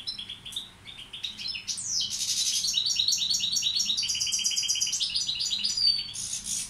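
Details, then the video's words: European goldfinch of subspecies balcanica, serving as a tutor bird, delivers a long tinkling song: high scattered notes, then a loud buzzy burst and steady chains of rapid repeated chirps. "Carduelis balcanica učitelj... Izbrojite mu ture"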